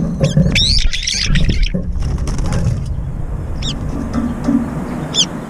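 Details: Brown-eared bulbuls in a feeder fight with aerial chases: a tangle of harsh shrill squeals at the start, then two isolated sharp calls a couple of seconds apart, over low noise.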